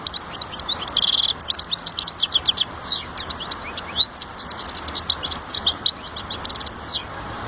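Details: European goldfinch singing a fast, continuous twittering song of high, bright chirps and quick trills with no real pauses, over a steady low background hum.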